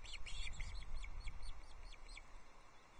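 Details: Osprey chicks on a nest at Loch Arkaig, 14 June 2024, with three chicks at feeding time as a small whole trout is delivered: a quiet, rapid series of short high chirps, uneven in spacing, over low background rumble.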